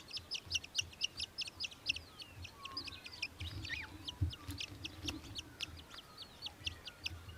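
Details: Australian hobby calling in Victoria, Australia, in December 2023. Thin, rapid, high chips repeat in loose bursts at a moderate distance, with low background rumble and a few faint whistles.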